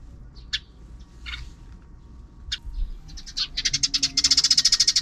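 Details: In the afternoon, sparrows out of the camera's view make noise: a few scattered high chirps, then a quick run of bright chirps at about three per second, over a faint low background hum.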